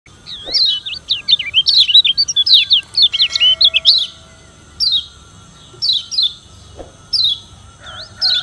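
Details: Kecial kuning (yellow white-eye) from Lombok singing a challenging song meant to provoke rivals: rapid bursts of high, sliding, twisting chirps, then short separate downslurred notes at intervals, over a faint steady tone.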